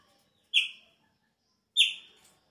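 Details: Chopi blackbird song at the start of the breeding season, when the birds change their song. Two rich, whistled notes each slide downward and fade, about 1.2 seconds apart, over faint background noise.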